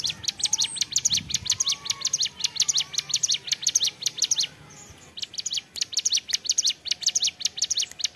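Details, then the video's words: Ciblek gunung prinia delivering gacor ceplekan song: a long, almost unbroken stream of sharp, high, repeated chip notes, briefly halting near the middle before resuming at the same fast, even pace. "CIBLEK GUNUNG GACOR CEPLEKAN"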